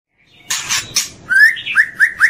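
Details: Murai batu, the white-rumped shama, opens with a few harsh chirps, then gives clear whistled notes that rise in short slurs, repeated about every quarter second in a lively phrase.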